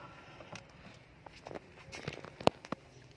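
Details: Scattered soft taps, footsteps and one sharp knock over low background hiss, with no animal calls.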